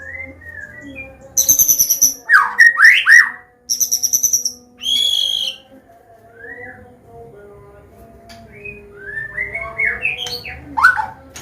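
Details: White-rumped shama of the Medan type singing a training combination song for young birds: high buzzy trills and swooping whistles, followed by quieter scattered notes over a faint hum.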